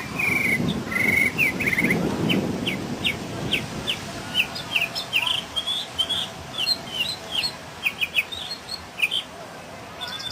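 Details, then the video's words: Singing mockingbird (sinsonte), 2006 recording: strings of sharp high chirped notes, some slurred upward, delivered in rapid uneven runs and changing phrases, with a low rumbling background near the start. "SINGING BIRD"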